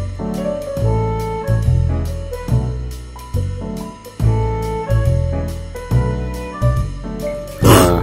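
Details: Instrumental music with horn and keyboard chords over a steady bass beat; no animal voice is heard.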